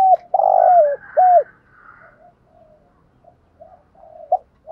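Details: Lure cooing by a spotted dove to draw wild doves: a loud long coo and a hooked coo, followed by quieter murmuring notes and a faint higher bird twitter.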